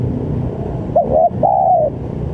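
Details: Spotted dove calling to draw rival doves into responding; two short quick coos then one longer, level, mellow coo, with low rumbling noise underneath.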